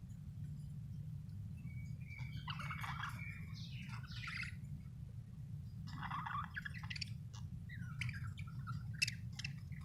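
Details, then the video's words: Budgie chirping in chattering warbled bursts, with strongest runs around the third and sixth seconds, over a steady low hum. "budgie chirping sound"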